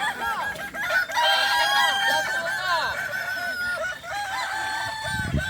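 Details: Competing Kukuak Balenggek cocks at a contest final, boko class, Sirukam dairy farm in Solok regency, give rapid runs of arched crow syllables over a busy chorus, with a low thud near the end.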